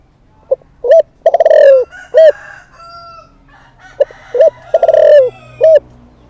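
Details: Decoy spotted dove calling to provoke wild males: deep cooing phrase of clipped notes, a long vibrating coo and a short end note, repeated twice, with thin steady whistles of other birds between.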